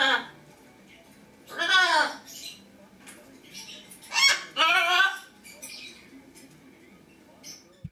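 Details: Pet lesser sulphur-crested cockatoo kept indoors, recorded 23 September 2010, gives two loud harsh screeching calls about two and a half seconds apart, each a rough broadband burst, with a pet macaw talking faintly in the background.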